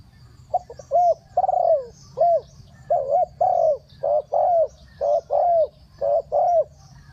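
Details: Spotted dove giving a three-note 'kuk hoi' style coo used as a decoy to call wild birds down: low, hollow, mellow coos in grouped phrases, each ending with a slight downward bend, with a faint steady background hum.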